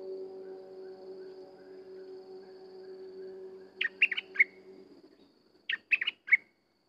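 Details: Sooty-headed bulbul song: two quick phrases of four bright, bubbly notes each, nearly two seconds apart, following a stretch of low droning hum.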